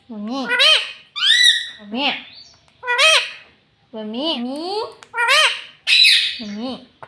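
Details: Pet parrot speaking "mummy" and "papa"-style words in a steady run of six or seven bright, harmonic syllables, each with a quick up-down pitch bend and brief gaps between them.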